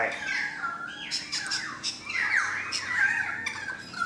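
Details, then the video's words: Currawong singing from a balcony, loud fluting and warbled phrases with sliding, gliding notes, some dropping and some rising, over a faint room background. "The Currawong Song"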